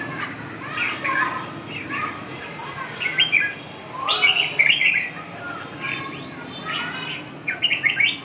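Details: Red-whiskered bulbul singing short, bright warbled phrases of whistled notes, rising and falling, given in bursts about every second or two, with a soft hum of background noise.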